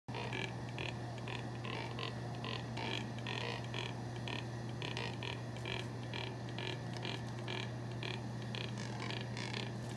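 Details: Unidentified birds whose calls are likened to bullfrogs: short, buzzy, croaking bursts repeated steadily about twice a second over a constant low electrical hum.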